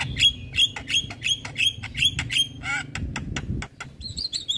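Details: Javan myna singing a busy, varied song to provoke other mynas: seven sharp, clipped whistled notes repeated in a steady rhythm, a hoarse rattling phrase, then higher wavering whistles.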